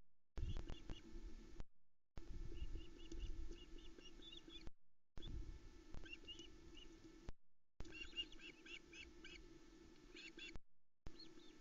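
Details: Female osprey screeching at a nest in the Arkaig Community Forest, Loch Arkaig, late at night on 8 July 2020, as the male delivers a small trout to the chicks; faint bursts of high, thin chirps over a steady low hum from the nest camera.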